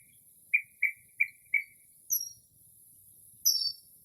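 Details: Northern mockingbird mimicking other birds late at night in early spring: four short, evenly spaced lower whistles, then two high, thin descending notes, faint low rumble in the background.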